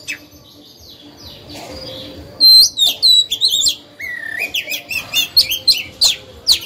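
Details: A kept oriental magpie-robin used to encourage other birds to sing: after a quiet start, bursts of ringing whistles break out, then a wavering rising phrase leads into a fast string of sharp, repeated chirps.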